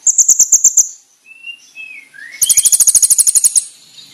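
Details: Konin (brown-throated sunbird) training song with loud, sharp 'shots': a short run of about seven high ticks, soft thin sliding whistles, then a longer rapid burst of piercing high notes.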